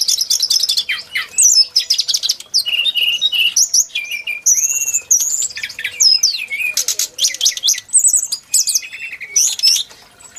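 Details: Continuous, loud song of the brown-chested jungle flycatcher, whose singing is likened to the Tledekan gunung: a dense flow of sharp high chirps, rising and falling whistles and fast twittering trills with almost no gaps.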